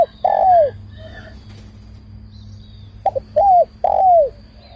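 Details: Spotted dove calling, a hollow cooing phrase of three or four notes, the longer notes sliding downward, repeated about every three seconds, with a faint low hum underneath.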